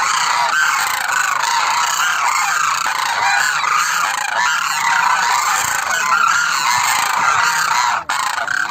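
A flock of demoiselle cranes fills the air with a dense, unbroken chorus of overlapping rolling, croaking honks at mid pitch, briefly dipping near the end.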